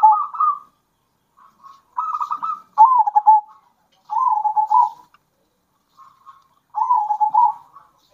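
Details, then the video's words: Local zebra dove song, bekur and kerot styles from wild and captive-bred birds, used as a lure to excite other doves; five trilled, vibrating coo phrases, some starting with a quick downward slur, with brief soft notes between. "Kombinasi Suara Perkutut Lokal Gacor Bikin Perkutut Emosi"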